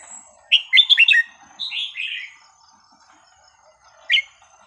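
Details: A red-whiskered bulbul, a cage bird whose varied song is played to teach young birds, gives a quick burst of bright, bubbling whistled notes, then a slurred warbling phrase and, after a pause, one more sharp chirp.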